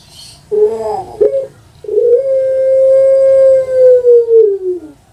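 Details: Long-voiced cooing of a caged puter pelung dove, Java, Indonesia. A warbling rising note and a short hiccup come first, then a very long, smooth, sustained tone that falls away through pulsing final notes.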